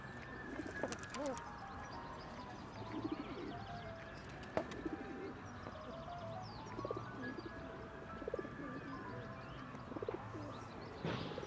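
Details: Feral pigeons at Špica, Ljubljana, on 20 March 2023, give low, throaty rolling coos, each swelling and falling over about a second; several birds overlap against a steady background of city noise.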